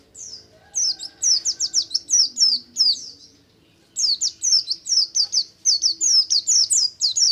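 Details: Oriental white-eye delivering fast buxtomi ngalas song to encourage other white-eyes to sing; dense, nearly continuous strings of very high, sharply descending chirps with one pause around the middle.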